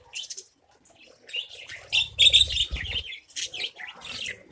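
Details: Budgerigars kept as a caged colony chatter while eating grain: dense, buzzy high chirps and short warbles in overlapping bursts, around four per second, with some low thumps and rustles partway through.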